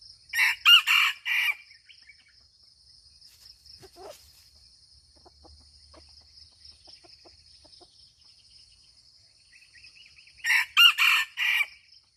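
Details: Two crows from a red junglefowl in Aceh, about ten seconds apart, each a rapid series of four hoarse, broken syllables. Between them are quiet clucks and chirps, with a continuous high insect whine in the background.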